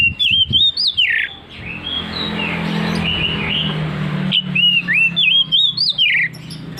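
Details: An Oriental magpie-robin delivers ringing whistled phrases with upward and downward slides, pausing mid-clip under a steady low hum before resuming with quick repeated whistles.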